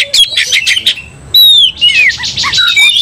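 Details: Oriental magpie-robin in a fight, provoked into aggression: a few scratchy notes, a brief pause, then long clear descending whistles followed by short rising chirps.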